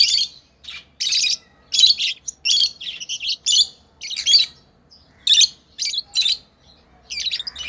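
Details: Chirping pet lovebirds while playing: a steady series of brief, shrill, buzzy notes, roughly two every second, becoming sparser toward the end.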